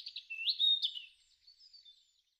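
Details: European robin in a garden in spring 2013, singing a short phrase of high thin whistles and rapid warbled notes that fade into a soft trailing trill.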